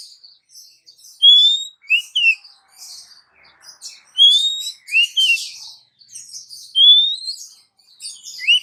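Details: Calling female Oriental magpie-robin summoning a male, used as a lure: a rising whistle and a pair of short bent notes, repeated three times among scratchy twitters.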